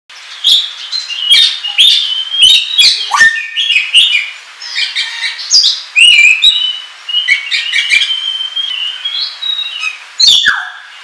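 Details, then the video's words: An Oriental magpie-robin, used as a lure and tutor sound for kacer, pours out a loud, fast, varied song of sweet whistles, chips and harsh notes, rising and falling without pause. "SUARA PIKAT KACER NGOBRA"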